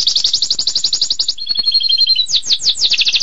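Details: Canary delivering a 'tembakan pedas' song: a quick high trill, then a thin steady whistle with low pulses, ending in loud, slower downslurred chirps repeated several times a second.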